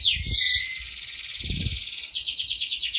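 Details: A canary, said to be an award-winning bird in strong voice, holds a long buzzy trilled tone, then switches to a faster pulsing high trill; soft low thumps occur near the start and middle.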